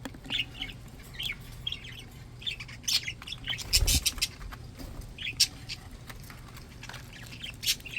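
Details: Healthy pet budgerigars trade short, high chirps and warbled notes in steady succession, with a few sharp clicks and a brief thump midway.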